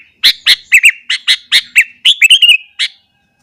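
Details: Sooty-headed bulbul in fiery morning song intended to provoke rival bulbuls: about four quick chirps per second, paired bubbly notes and a short wavering trill near the end.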